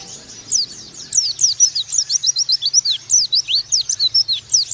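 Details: Oriental white-eye in 'nembak' style, a master recording for training young birds: after a quiet start, loud high chirps arrive quickly and evenly, each a thin slurred whistle.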